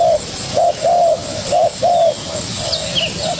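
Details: A young spotted dove facing a decoy bird gives about five distinct low, soft coos in quick succession, then quieter trailing notes.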